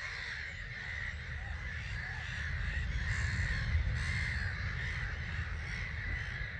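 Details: Some 250,000 starlings leaving their roost at 05:45 on 21 March 2022, recorded from a hide at Gibraltar Point NNR; a dense, continuous wash of massed chattering with no single voice standing out, over a steady low rumble.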